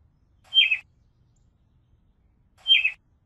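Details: A robin's brief, bright chirp that slides downward, heard twice about two seconds apart against near silence.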